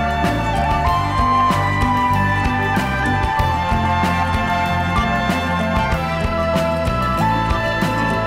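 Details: Loud, continuous instrumental music fills the whole stretch, with layered melodic tones and a steady beat and no animal voices.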